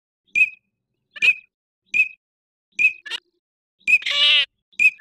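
Eurasian teal giving short, clipped high whistles, one roughly every second, with a brief louder burst of overlapping notes near the end.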